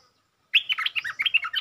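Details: Stripe-throated bulbul lure song aimed at a territorial resident bird: after a brief silence, a continuous, rapid run of bright twittering notes.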